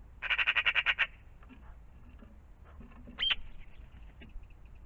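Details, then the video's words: Magpie in the morning around a pond, giving a harsh, dry rattle of about eight rapid pulses lasting a second. A single sharp rising note follows, with faint scattered chatter in the background. "Magpies in the morning"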